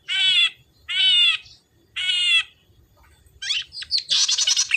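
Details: Red-headed tit song played as a lure to make silent birds of the same kind sing: three loud, buzzy, rasping notes about a second apart, then quicker scratchy chattering notes at the end.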